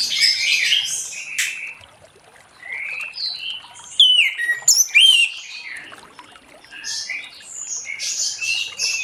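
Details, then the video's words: Orange-headed thrush singing in the late afternoon to lure other thrushes into song: scattered whistled and slurred phrases, loudest in a burst of high, sweeping notes near the middle, with quieter chirps before and after. "Anis Merah Ngeplong Sore Hari💥Pancing Anis Merah lain Cepat Bunyi"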